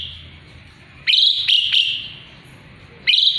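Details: A singing Asian pied starling, used as a tutor for magpie-robin song, produces a quick cluster of three grating, buzzy notes, a pause of about a second, then one more abrupt harsh note.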